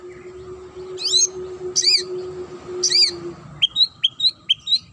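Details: Murai (magpie-robin) singing a sharp song meant to make other birds answer and get agitated: three loud, high, chevron-shaped whistles about a second apart, then five quick clipped notes, over a steady low hum.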